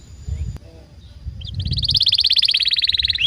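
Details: Timbrado canary singing: after a quiet start with low rumbling, a loud, fast, even trill of rapid high pulses begins and keeps going to the end, ending on a short upward sweep.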